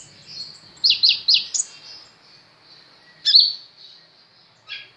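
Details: Sunbird, known locally as kolibri ninja, newly acquired and singing vigorously: a few loud, sharp, high chirps and slurred squeaky notes with short pauses between them, in quiet surroundings.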